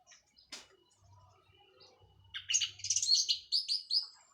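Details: Orange-headed thrush, a local bird from Cililin that has just finished moulting, singing in the loud 'plong' and drawn-out 'teler' style: after a low hum and a brief chirp, a fast burst of high, varied, tumbling notes ends in repeated whistles.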